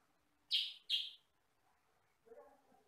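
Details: Kutilang sutra (sooty-headed bulbul), a small yellow-and-black bulbul with a loud voice of one or two tones, recorded for training other birds: two harsh, bright chirps close together, then a faint low murmur.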